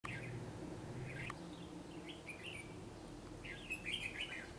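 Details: Red-whiskered bulbul singing in the ché style from a treetop, a bird described as very quick to sing: short warbled chirpy phrases near the start, then a brighter burst of notes toward the end over a low background hum.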